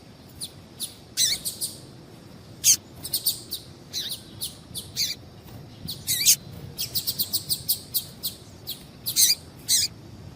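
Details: Female double-collared seedeater call used to get males singing: short, sharp, high chirps given singly or in quick clusters of two to four, irregularly spaced over a quiet background.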